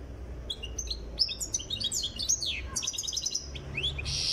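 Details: European goldfinch from Tiaret, not yet in full form, sings quick whistled slurs, liquid twitters and buzzy rattles in a lively four-second phrase ending in a harsh buzz.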